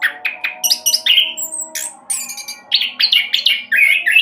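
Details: Caged orange-headed thrush in speedy rolling song, used to prompt other birds to sing; quick sequence of whistled notes and trills, some pure high tones, one sweeping slur, steady loud delivery throughout.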